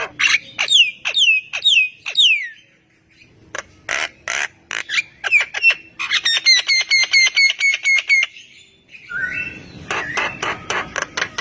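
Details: Javan myna singing vigorously, making other mynas respond; descending whistles, harsh clicks, a fast rattling run of repeated ringing notes, and finally a noisy squawk with a steady whistled tone.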